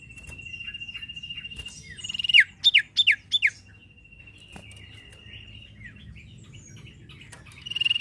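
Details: A sirtu bird whose song is used to stir other birds to sing holds a long level high whistle, then gives four sharp descending whistles in a fast run. A faint low hum sits underneath.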